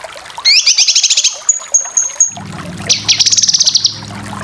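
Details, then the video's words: Cucak kinoy full besetan song used as masteran to tutor competition birds: rapid buzzy trills of quick repeated notes, a few short pure whistles in between, then another fast trill over a low steady hum. "Masteran full besetan cucak kinoy cocok untuk burung lomba"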